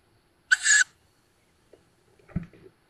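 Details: Recently fledged Tawny owl young at a nest in woods outside Szokolya, Hungary, May 2022, recorded by nest webcam: a single loud rasping hiss, followed by quieter thuds and shuffling.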